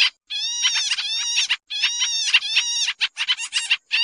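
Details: Busy lure chatter of Sooty-headed bulbul for catching birds: two long runs of grating, buzzy notes over about a second and a half each, then a flurry of short clipped notes.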